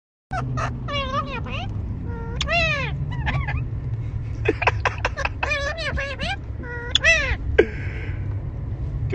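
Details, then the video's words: A pet parrot named Rio imitates human words, "I love you baby", in short, nasal, speech-like phrases with wavering rising and falling pitch, over a low background hum. "I lave you baby"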